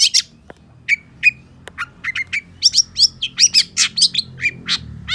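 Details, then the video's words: Long-tailed shrike song made of varied notes: short whistled tones that slur downward, mixed with sharp high chirps, given in quick succession over a quiet background. "Suara Cendet Pentet Gacor DOR"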